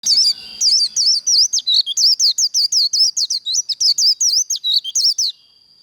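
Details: White-eye giving 'líu' contest song, used to fire up and train birds for singing contests: a rapid, unbroken run of about twenty high, looping whistled twitters, each sharply inflected, pouring out for over five seconds before stopping.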